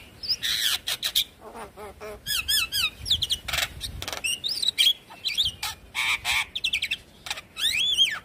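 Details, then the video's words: Javan myna lure song meant to make a silent bird sing: busy mix of warbled zigzag whistles, low croaking notes and raspy bursts, ending with a rising-falling whistle. "Pancingan Jalak Kebo Macet Bunyi Ampuh Bikin Cepat gacor Manggut2"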